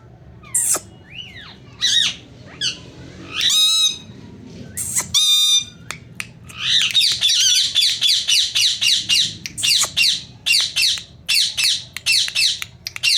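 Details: A talking Indian rose-ringed parakeet repeats short phrases such as "me too" and "meow" in a shrill, nasal voice between harsh squawks and rapid chattering bursts, over a low indoor hum.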